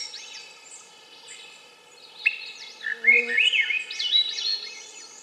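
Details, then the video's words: Swainson's thrush song: flute-like notes swirling upward in a quick rising spiral, with faint chirps of other birds and a low steady hum behind. "Swainson's Thrush - Bird Sounds"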